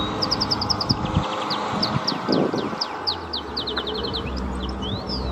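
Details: Wild Atlantic canary singing live on Gran Canaria, Canary Islands, in the 2024 mating season: rapid high chirps and trills in quick runs with short pauses between phrases, over low rumbling background noise.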